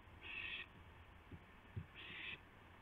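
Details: Owl at 2:51 AM, 2 April 2016, with a gopher being delivered to another owl: two breathy, harsh screeches about one and a half seconds apart, with soft thumps and low hum between.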